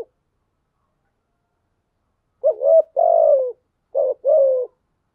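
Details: Spotted dove lure bird cooing after silence: two phrases, each a short rough note then a longer hoarse coo that falls slightly, in a quiet background.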